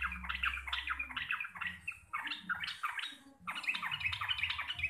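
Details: Local Javanese sooty-headed bulbul delivering busy 'gacor receh' chatter: harsh, squawky warbled notes repeated in rapid clusters, a short pause, then another loud run.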